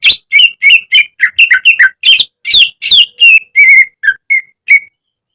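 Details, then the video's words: Greater green leafbird, caged, singing for a training recording: a quick stream of varied whistles and rasping chips, ending with a few pure, level whistles that fade out near the finish. "Masteran cucak ijo agar cepat rajin bunyi~gacor setiap hari"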